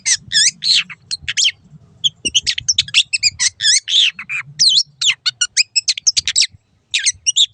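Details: Caged-bird training song of the long-tailed shrike, or cendet: varied looping whistles and scratchy chirps strung together rapidly with short pauses, some notes swooping up and down, faint low hum behind.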